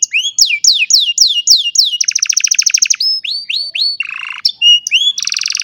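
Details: An old canary singing on a sunny morning, recorded on a cellphone: runs of falling whistled slurs, a rapid buzzy trill, more downslurred notes, then a low rattling roll and a bright high trill.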